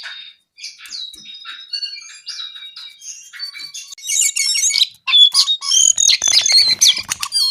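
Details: Brown-eared bulbul singing a long, building phrase: thin whistles and twittering first, rising into loud, densely packed chattering trills and squeaky slurred notes in the second half.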